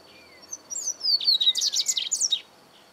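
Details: Song of a double-collared seedeater, recorded in 2018: a quick, dense run of high, bright chirps and trills lasting about two seconds, preceded by a few thin slurred whistles, with a steady faint high background tone.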